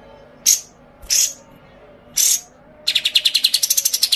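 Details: A white-eye gives three loud scratchy buzzes, then a quick train of high, crisp chirps that climb gradually in pitch.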